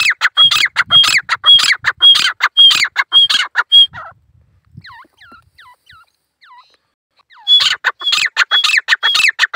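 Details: Lone male grey francolin calling in the jungle: loud, harsh, rhythmic notes about twice a second, each carrying a high whistled tone. A quieter gap follows, filled with soft chirps from other birds, then the loud calling resumes.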